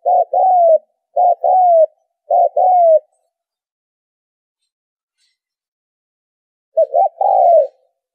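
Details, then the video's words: Spotted dove calling as a trapping lure: three quick two-part coos in a row, each a brief burry note and a drawn-out falling coo, then a pause of almost four seconds before one more phrase. "tiếng chim cu gáy kích bổi - cu gáy kích mồi - tiếng cu gáy giành cho đi bẩy"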